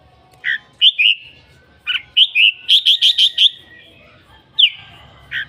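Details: Red-whiskered bulbul delivering a lively phrase: a sharp chip, paired whistles, then a fast run of five or six ringing notes, ending with a falling slur.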